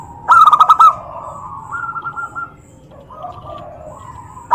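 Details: A zebra dove calls to provoke rival doves into answering. A loud, fast stuttering run of coos opens, followed by quieter drawn-out cooing phrases. A fresh loud call begins at the very end.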